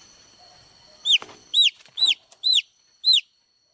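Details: Chicks give five loud, high-pitched, downward-curving peeps about half a second apart after a faint soft start, with a light thump under the first.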